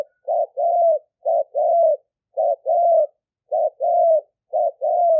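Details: Live smartphone recording of a fierce-strain spotted dove decoy in Roi Et, Thailand, calling wild doves in 'lio tan' style; five evenly spaced pairs, each a brief coo followed by a longer level coo.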